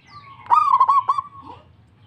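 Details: Local zebra dove in full voice, replying to another dove: a single phrase, a sharp onset and then a rolling, bubbling coo with three stuttered breaks, fading into a soft drawn-out tail.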